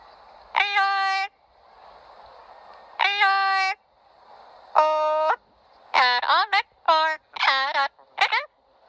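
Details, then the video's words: Pet yellow-headed amazon singing Old McDonald with its owner; long held, voiced sung notes in separate phrases, then a run of quicker, bending syllables close together, over quiet indoor background. "Singing Parrot Old McDonald’s"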